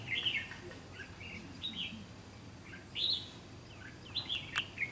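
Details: Red-whiskered bulbul used as a caged decoy while trapping wild birds in Vietnam on 7 June 2016: short bright whistled and chirping phrases about every second, with brief gaps and a faint low rumble behind.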